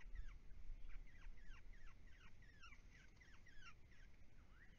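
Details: Brown-headed honeyeaters feeding each other and mating at a pond in temperate woodland; rapid series of quick downslurred chips, about two per second but irregular, ending on a brief rising note, against low rumbling background noise.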